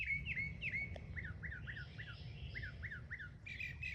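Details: Mockingbird mimicking other sounds, delivering a quick series of clear, downward-slurred whistled notes repeated about three times a second, then a brief harsher burst at the end, with steady low background rumble.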